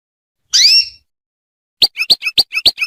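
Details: Female canary calling to stir a male into song. A single high, arching, whistled note comes first, then after a pause a rapid run of seven short, sharp chips.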